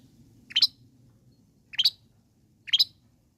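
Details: Long-tailed shrike, used to provoke other shrikes into answering: three short, harsh, high double notes, each about a second apart, over a soft low hum.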